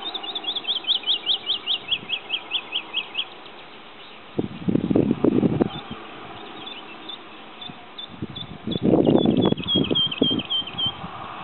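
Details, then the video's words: Singing male Woodlark (Lullula arborea) at Sceaux-d'Anjou, Maine-et-Loire, France, 2 July 2009: a quick descending run of about fourteen liquid, high 'lu-lu-lu' notes, then softer phrases, broken by two bursts of wind rumble. "Alouette lulu Lullula arborea Woodlark"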